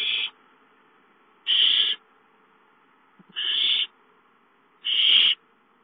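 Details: Owls at a nest on 5/5 during a gopher delivery at 8:53, with a young owl stealing the food; four loud, raspy hissed bursts spaced unevenly, with silence between them.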